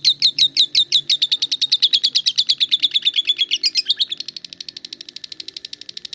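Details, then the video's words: Lovebird doing ngetik: strong, quick chirps that blur into a faster, quieter ticking run in the final two seconds. "Suara Burung Lovebird Ngetik"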